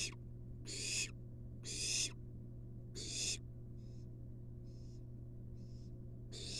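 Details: A wild barn owl nestling in a monitored nest box receives a long-tailed rat from its mother. Four loud breathy screeches come about once a second, followed by softer, fainter hisses, then one loud hiss again. A low hum runs throughout.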